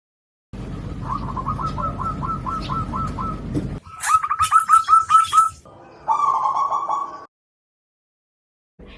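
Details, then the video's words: Zebra dove (perkutut, Geopelia striata), a caged bird kept around homes in the Jakarta area, recorded on a phone: quick runs of short, soft cooing notes, about four a second, in three bursts over a low hum; dominant frequency is low. "Burung perkutut memiliki frekuensi dominan pada frekuensi rendah."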